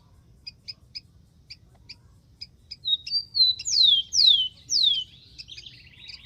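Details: Rufous-collared sparrow in the wild: a run of sparse high ticks, then three loud descending slurred whistles and a closing dry trill.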